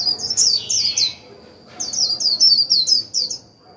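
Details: Japanese white-eye singing a rapid twittering song ('líu') used to stimulate other birds: two bursts of high, quick descending chirped notes repeated about three per second, separated by a pause, over a faint steady high whine.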